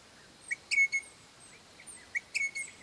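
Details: Crimson rosella pair calling to their young, a pair that lived on a property for about 13 years; short clear whistled notes near the same pitch with brief bright chirps, given in two loose bursts about two seconds apart, quiet background.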